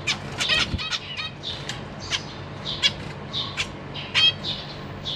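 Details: Caged zebra finches, a breeding pair feeding juveniles and newly hatched young on 14 April 2023; dense chorus of quick nasal beeps and chirps from several birds, calls every fraction of a second with a loud burst near four seconds.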